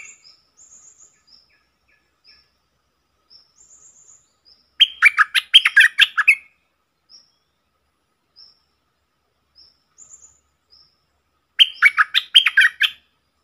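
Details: Red-whiskered bulbul, a bold wild bird answering a caged decoy and then flying off, dated 5-6-64: two loud, bubbly warbled bursts about seven seconds apart, with faint, thin, high chips scattered between them.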